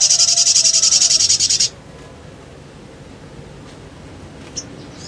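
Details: Sogon, the little spiderhunter, giving a lure song: a loud rapid high rattling trill for under two seconds, followed by near silence with one faint note.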